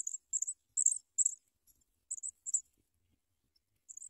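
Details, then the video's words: Sprague's pipit chicks begging as an adult brings them big worms: bursts of very high, thin, squeaky notes in quick uneven clusters, then a pause of over a second before a last short burst. "Wow Sprague's pipit Bird brings big worms for babies to eat"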